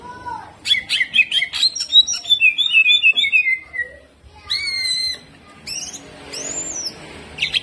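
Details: Caged greater green leafbird singing hard and fast: varied rich whistles, sharp chips and slurred notes sweeping down, in quick bursts with short pauses.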